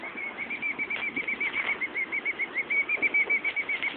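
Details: Female bird guarding a nest just outside an office window, squawking whenever someone goes outside while the male flops about nearby feigning injury; a rapid, steady run of short, high, sharp notes, about four per second, over a dull background hiss.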